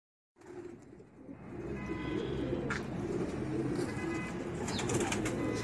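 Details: Racing pigeons shown with children; after a moment of silence, low murmuring coos from several birds build into a steady rumbling chorus, with faint chirps and scattered clicks above.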